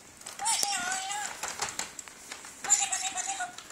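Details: Two-year-old pet blue-streaked lory talking while playing in a paper bag: short, nasal, speech-like phrases with a steady whistled tone, separated by a brief pause, with rustling.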